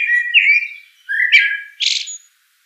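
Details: Two flowing, fluty blackbird phrases, the first long and wavering, the second swooping upward. They are followed by a hissy, high-pitched twitter typical of a common blackbird's phrase ending.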